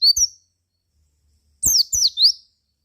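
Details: White-eye lure song for making other white-eyes sing: a brief high chirp pair, then after a gap a tight cluster of three shrill, slurred notes.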